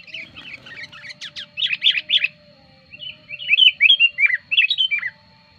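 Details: Lure song of the sooty-headed bulbul, used for attracting wild birds and as a tutor recording. Chattering notes come first, then after a short pause runs of clear, downslurred bubbly whistles in quick series.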